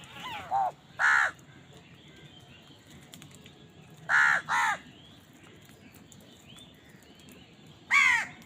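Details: House crow during a meal, squabbling for food; harsh descending caws come singly and in pairs, five in about eight seconds, with pauses between and light background hiss.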